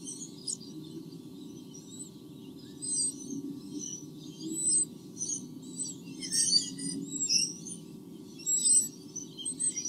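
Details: A nest of white-bellied sea eagles in Australia, two chicks, 8 August 2015, live nest camera: scattered high, thin peeps that quicken into an uneven run of squeaky chirps in the second half, under steady low hum.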